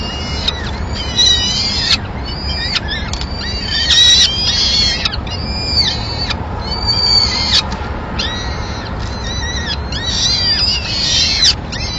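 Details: At a Madrid peregrine falcon nest on 26 April 2016, the male arrives with a small bird, the chicks' first food of the day. Insistent, repeated, arched wailing calls overlap continuously above a faint low hum.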